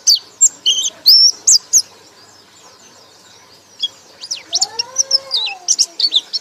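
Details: Pleci, or white-eye, in ngekek song: a loud burst of high chirps, a quiet pause, then further rapid high notes. A lower rising-and-falling tonal sound plays alongside late in the clip.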